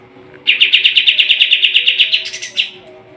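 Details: Sooty-headed bulbul (kapas tembak) singing actively, a competition-bird training recording: a fast rattling run of about seventeen clipped notes, roughly eight per second, ending in a higher buzzy flourish, over a faint low hum.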